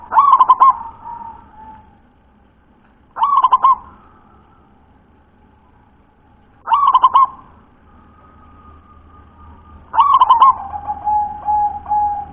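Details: Local wild zebra dove singing: a rich, rapidly rolling cooing burst, then a soft trailing hum, repeated four times roughly every three and a half seconds in a quiet setting.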